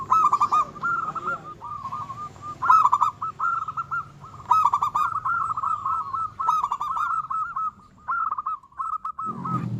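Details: Energetic local zebra dove song meant to agitate opponents and raise their breeding urge: fast chains of soft, rolling coos at one pitch, punctuated by several louder bursts, ending with a brief low rumbling noise.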